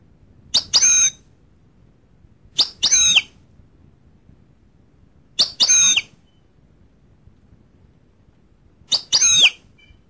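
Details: Goldfinch calls: four separate sharp, high double notes, each a quick chirp followed by a slurred twittering note, repeated every two to three seconds in near silence.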